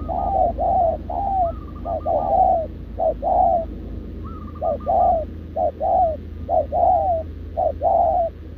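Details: Spotted dove, a wild-caught short-legged bird in a cage, cooing nonstop alongside a decoy. Many clipped two-part coos in quick succession, with two higher rattling phrases interleaved, over low background rumble.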